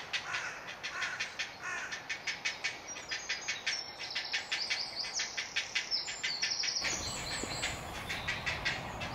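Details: Great blue heron chick crying for food at a colony nest in woodland at Delftse Hout, Delft, Netherlands: rapid rattling clicks repeated in a steady stream, overlaid by thin high whistles of small songbirds, ending in a louder noisy patch.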